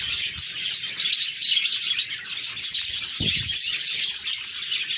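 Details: Cheerful budgerigar chirps from a group, steady busy twittering with many voices overlapping, some sharper notes standing out, plus a brief low thump near the third second.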